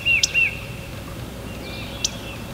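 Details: Adult male Indigo Bunting singing while setting up territory in early spring, New Jersey: a pair of high, sweet, slightly falling whistled notes in quick succession, then two faint ticks over quiet background hiss.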